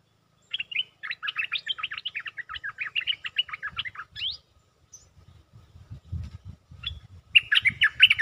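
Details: Caged stripe-throated bulbul singing actively as a lure: a long, rapid string of chattering, warbled notes for about four seconds, then scattered low knocks and thumps before another burst of bubbly song.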